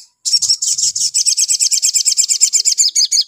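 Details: Spiderhunter sound used to provoke spiderhunters into calling: a fast, steady string of sharp, high chirps, about six or seven a second, with nothing else heard.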